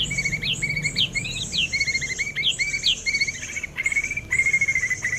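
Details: Six-month-old white-rumped shama, hatched 12 October 2024, still pumping its tail while singing: bright whistled phrases with sharp upslurred notes and quick chattering runs, repeated roughly every second over a steady background hiss.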